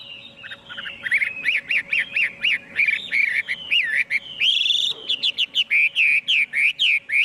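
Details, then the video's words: Chinese hwamei singing a loud, busy song: rolling whistled notes in quick succession, a long rising whistle midway, then rapid repeated notes. No other noise. "Tiếng chim hoạ mi hót"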